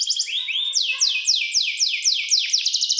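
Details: Canary singing a melodious song: a few quick high notes, then a run of repeated downward-sweeping whistled syllables about five per second, ending in a fast high trill.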